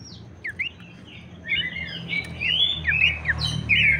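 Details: Abbott's babbler lure song meant to stimulate other babblers: a quiet start of a few short notes, then a busier stretch of overlapping, wavering whistles that grows louder toward the end.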